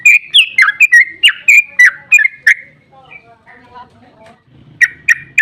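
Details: Sooty-headed bulbul, called trucukan, singing its long ropel to stir other bulbuls into answering; a burst of rapid whistled notes, then a quiet stretch with faint murmuring background sound, before loud notes return.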